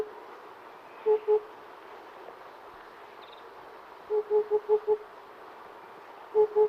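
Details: Oriental cuckoo giving soft, low, hollow doubled hoots, a pair, then a longer run of four to five quick notes, then another pair, over faint hiss.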